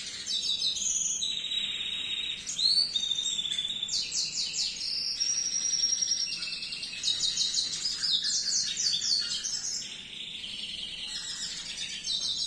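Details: Canary singing richly for song tutoring: continuous high, fast trills and rattling tours, with whistled slides and buzzy rolled phrases changing every second or two, sustained throughout with no pauses.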